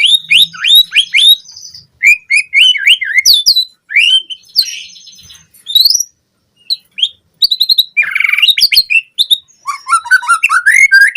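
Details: White-rumped shama lure recording for captive-bird training: energetic song mixing rising whistles, quick chip series, buzzy notes and high trills, with a brief pause midway before another dense burst.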